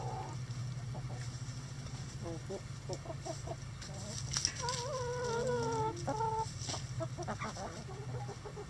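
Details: Rooster crowing while chickens scratch and relax in the coop; soft scattered clucks, then a drawn-out harmonic call of about a second that wavers and falls, followed by more clucking.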